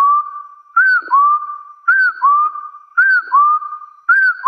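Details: Hill partridge calling to challenge rivals in the wild: four paired whistles, a short curved note then a longer rising one, repeated steadily at about one phrase per 1.1 seconds.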